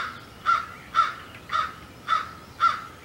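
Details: Osprey at the Hog Island nest on 27 May 2020, giving five short, harsh, hoarse calls spaced about half a second apart, each with a strong mid-pitched core, over a quiet background.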